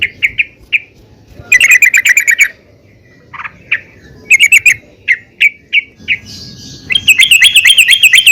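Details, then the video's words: Yellow-vented bulbul female calling for the male, a lure to make the birds sing. Short chirps and single notes are broken by pauses, with two brisk bursts of dense, rattling chatter and a final lively run. "PANCINGAN TRUCUKAN BETINA MEMANGGIL TRUCUKAN JANTAN||UNTUK SEMUA BURUNG TRUCUKAN AGAR RAJIN BUNYI"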